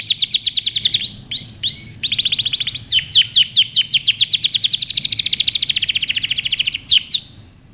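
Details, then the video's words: Canary song for training young birds: fast descending notes, a few hooked doubled phrases, then a long accelerating trill of rapid sweeps that fades at the end. "Canary Singing | Melodies Canary Bird Song | Training Video"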